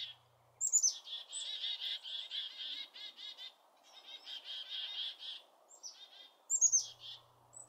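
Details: Chickadees mob a Boreal Owl with harsh, buzzy, rapidly repeated dee-dee notes and high thin introductory whistles, a relentless high-pitched mobbing chatter over faint background hum.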